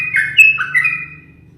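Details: Caged yellow-vented bulbul, often teased by its keeper, gives a brief burst of bubbly whistled notes sliding between middle and higher pitches, with a faint low hum underneath.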